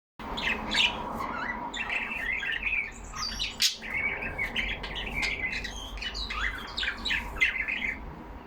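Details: Caged pet budgerigars, yellow parrots, talking among themselves: a dense run of warbled whistles, clicks and short squawks around the upper-middle register, with brief louder bursts and a steady low room hum beneath.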